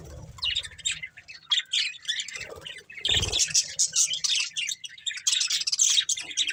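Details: Budgerigar breeding pair warbling: high, scratchy, fast chirps building in intensity, with a low knock around the middle.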